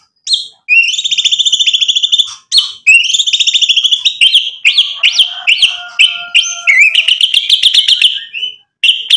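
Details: White-rumped shama song used as a lure for rival shamas: fast metallic rattling trills of very high notes in several bursts, then a string of varied short whistles and a rising warbled run.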